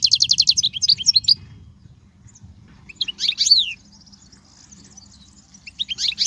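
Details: European goldfinch singing, a recording meant for teaching young goldfinches: a quick series of high liquid chirps and downslurred notes at the start, a pause, then another twittering burst and a rising phrase at the end.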